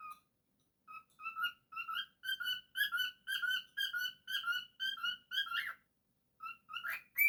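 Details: Indoor pet cockatiel whistles a rhythmic run of clear, ringing notes about twice a second, then a pause and a final upward-swept, slightly rough note.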